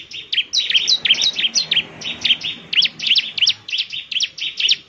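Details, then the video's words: Busy bar-winged prinia song aimed at making other prinias reply: quick high, sharp notes with fast downward flicks, about three a second, continuing without a break. "Inilah suara ciblek GACOR paling di gemari, SEMUA ciblek pasti langsung NYAUT"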